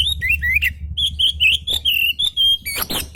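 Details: Emotional oriental magpie-robin delivers a string of short, clear whistled notes about a second apart, some rising and some level, ending in a harsh buzzy burst, with a low hum beneath.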